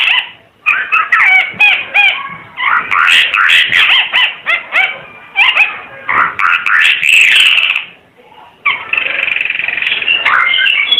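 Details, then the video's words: Energetic chattering song from a Timor red-eyed bird, dense jumbled whistles and squeaky notes tumbling together with only brief pauses, then a long scratchy warbled phrase. "Kicau Burung Ara UNIK Mata Merah Suara Gacor"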